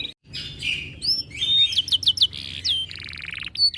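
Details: Breeding-condition canary that grows aggressive when other birds sing, delivering a varied high song of buzzy trills, short whistled upsweeps and quick downslurred notes, with a brief pause near the start.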